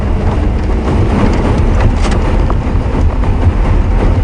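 Heavy low rumble of a vehicle engine on a safari drive, steady and loud with faint rattling on top, and no animal calls heard.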